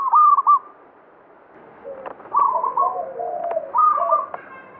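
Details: Local zebra dove (perkutut) of the banyumili type singing steadily: a bright burst of quick, clipped coos opens, then after a pause fainter rolling cooed phrases follow with softer, lower overlapping coos beneath.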